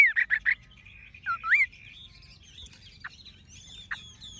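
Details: Tame Chinese hwamei kept in a cage: three quick loud whistled notes, then a wavering slurred whistle, followed by fainter scattered high notes and short chips.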